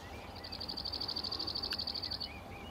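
A cirl bunting gives a dry, high rattling trill of about twenty fast, even notes on one pitch, lasting nearly two seconds. Faint chirps from other birds sound in the background.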